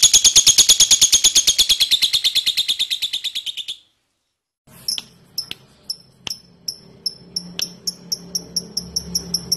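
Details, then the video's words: Lovebird ngekek, a long chatter meant to get other lovebirds chattering: a fast high rattle fading after nearly four seconds, a short silence, then quicker and quicker sharp ticking notes over a low hum. "Suara LoveBird Ngetik Ngekek Panjang"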